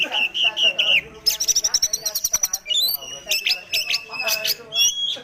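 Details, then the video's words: Oriental magpie-robin singing a rich, full-repertoire trotol song: whistled opening notes, a rapid rattling burst, and a flow of varied sharp whistles and chatters. "BURUNG KACER MEWAH FULL MATERI"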